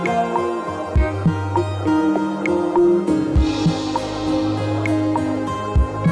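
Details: Gentle plucked instrumental music with sustained low notes and soft percussive accents; no animal calls.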